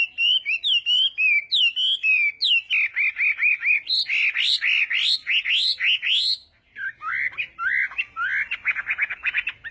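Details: Chinese hwamei in morning voice-training song for singing contests; rich varied whistles, slurred notes giving way to fast repeated chopped phrases around four per second, then a brief pause and renewed rising whistles.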